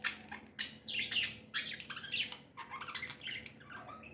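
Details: Happy pet budgerigars squawk and chirp in loud, harsh, overlapping high bursts, followed by a quicker chattering run of shorter notes.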